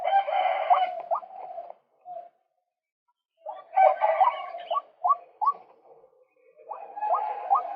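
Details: Harsh, loud rasping bursts from a male white-breasted waterhen alternate with quick hooked notes and short gaps. The call is used to lure other birds.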